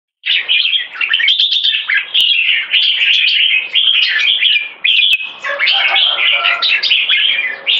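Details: Competition red-whiskered bulbuls, known as jambul, in a singing contest between two caged birds, one in molt: dense, continuous warbling with rapid whistled and chattering phrases, bright and overlapping, with brief dips between bursts.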